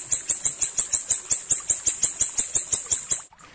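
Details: Clear tutor song of an ashy tailorbird, a steady, fast series of sharp, very high chipping notes around five a second, ending with a brief pause and one last note.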